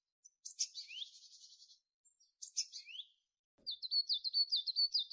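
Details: Tit making two harsh buzzy bursts, each ending in a rising note, then a fast, even series of thin, high, metallic notes.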